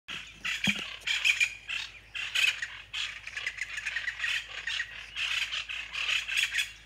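Plain chachalacas call in a loud, raspy chorus, harsh grating phrases overlapping and repeating nearly without pause for the whole stretch.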